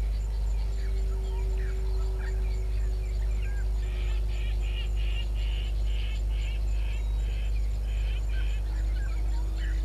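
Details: Helmeted guineafowl at Gowrie dam waterhole, Djuma Game Reserve, Sabi Sand, South Africa, at 17:57 on 20 October 2021, giving a harsh, rapidly repeated cackling over a steady low hum.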